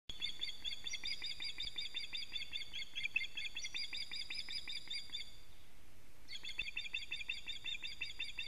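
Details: Osprey at a nest on a live camera in Latvia, alarm calling as the male brings a living fish, 19 July 2017 at 19:43; rapid strings of high, harmonic-rich piping notes run almost unbroken, pausing briefly near six seconds before resuming.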